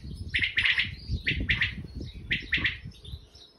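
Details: Wild common quail calling: sharp, liquid three-note phrases repeated about once a second, over steady low rumbling background noise.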